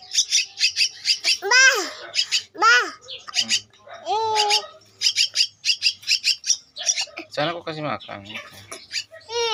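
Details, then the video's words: Javan myna chick, two weeks old, begging while fed: rapid rasping bursts in runs, interspersed with louder wavering squawks that rise and fall. "Anakan Burung Jalak Kebo-_Umur 2 minggu"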